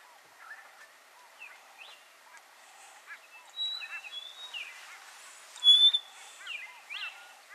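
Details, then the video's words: Rosy-patched bushshrikes calling and duetting in Buffalo Springs National Park, Samburu, Kenya: a busy mix of low looping notes, short chirps and a sharp high whistle near the end, with several overlapping calls. "Rosy-patched Bushshrike Calling"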